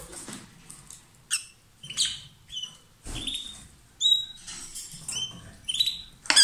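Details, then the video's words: Two lovebirds as a pair, singing loudly and billing or passing food; short, sharp, high squeaky chirps repeat irregularly, some bright and clipped, with faint rustling between. "Gli inseparabili | 20minutes Love birds Sound"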